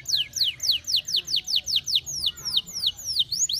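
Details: Atlantic canary song used as a lure to stimulate other canaries to sing: a fast even trill of high notes sweeping steeply downward, about four each second, with a faint low background hum.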